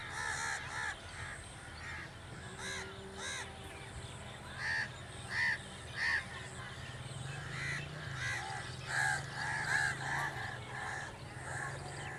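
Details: Harsh crow caws come in short clustered bursts, several per second at times, fainter and more spaced than a chorus, over a steady low hum.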